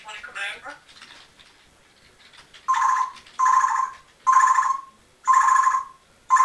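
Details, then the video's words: Rocky, a Congo African grey parrot bought at 7 years old and left alone in a room, mutters speech-like words including cursing, then gives four loud, buzzy ring-like bursts about a second apart, like an imitated telephone. "My Parrot Rocky Cussing and talking and some making some weird noise"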